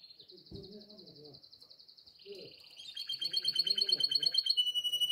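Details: Canary in breeding condition singing to call a female, a loud high rolling trill that drops to a lower tour, then rapid bright repeated notes layered over it, with soft low clucking sounds underneath.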